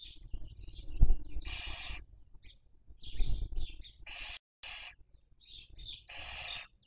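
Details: Barn owl at a nest webcam in Cabañeros National Park, Castilla-La Mancha, Spain, raising young in the 2023 breeding season: three harsh, breathy hissing screeches about half a second long, separated by soft chittering notes, over low rumbling thumps.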